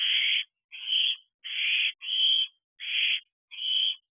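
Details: A hungry fledged owlet, about thirteen weeks old, calls from a roof near an owl box just after midnight on 5 July 2023. Six harsh, hissing screeches, each about half a second long, come roughly every 0.7 seconds.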